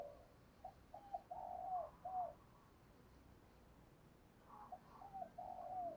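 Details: Spotted dove used as a decoy to call in wild doves, giving two separate bursts of soft, rolling coos, each ending in a falling note, over a steady hiss of background noise.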